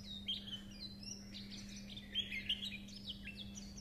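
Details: Japanese white-eye chattering: lively high-pitched twitters and short whistled slides delivered in quick succession, a few sharper accented notes standing out, with a continuous low hum underneath.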